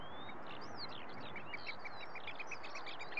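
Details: A Eurasian oystercatcher (Haematopus ostralegus) calls with a skylark: short, sharp piping notes repeat rapidly, about six a second, alongside the skylark's high tumbling warble over a steady rush of wind.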